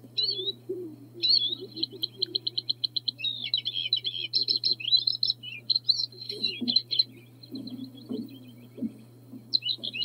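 Bluethroat song: a rapid, varied medley of high metallic trills, ringing repeated notes and buzzy phrases, with a low hum and some lower murmuring underneath.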